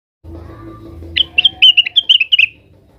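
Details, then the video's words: Blue-winged leafbird (cucak wilis), agitated and calling out to rivals: after a low background hum, a rapid run of about ten sharp, bright chirps follows, each a quick clipped note in quick succession. "suara burung cucak wilis gacor, emosi manggil manggil lawan"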